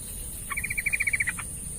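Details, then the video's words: Yellow-vented bulbul used as singing therapy for a lazy bird: one crisp run of about a dozen quick, evenly spaced notes, slightly falling, lasting under a second, over a faint high hum. "Terapi Burung TRUCUKAN Malas Bunyi"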